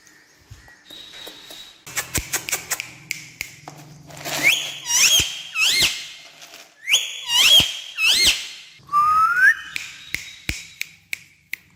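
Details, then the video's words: Jumping talking parrot on a stair: a burst of rapid tapping and clicking, then strained, squeaky squawks in close pairs, and near the end one rising whistle. "Funny Jumping Talking Parrot On Stair"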